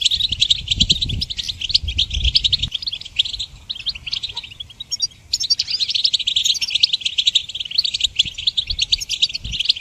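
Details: Goldfinch song recorded for songbird training, a prolonged, rushing twitter of high chattering notes and trills, briefly thinning near the middle before surging again, with low noise at the start.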